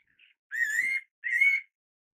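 A fairy pitta gives two clear whistled notes, each about half a second long and slightly rising, with a brief faint note before them.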